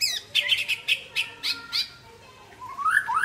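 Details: White-rumped shama from Aceh singing after a midday bath: a quick series of sharp chirps, then a rising whistled phrase at the end.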